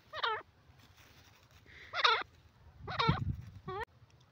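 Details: Francolin (teetar) calling: four loud, harsh, strongly harmonic notes, each sharply bent and about a third of a second long, given about once a second with short pauses, over a low steady hum.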